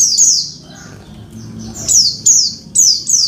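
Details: Female Oriental white-eye calling the male so he sings again. She gives sharp, high-pitched descending chips, one at the start and then a quick run of four toward the end, over a quiet background.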